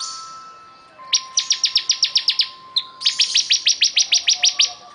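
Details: Two rapid strings of about ten piercing, high, evenly spaced notes from a bar-winged prinia singing vigorously, with a thin steady tone underneath.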